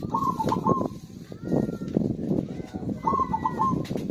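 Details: Zebra dove cooing, used to stimulate silent birds into singing: two bursts of rapid, stuttering, ringing coos, the first near the start and the second about three seconds in, over a steady hum of background noise.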